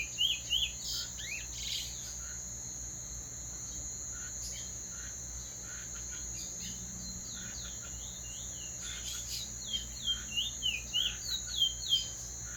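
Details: Teacher bird song, a clean roll of high, downward-slurred whistles in short bursts at the start and again near the end, with scattered clicks and a steady high hum between them.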